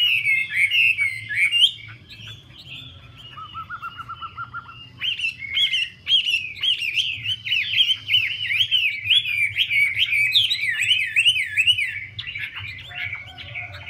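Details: Hwamei excited by a female's fanning display: loud whistled phrases, a brief run of even staccato notes lower in pitch, then a long fast zigzagging warble rising and falling, with a soft hum underneath.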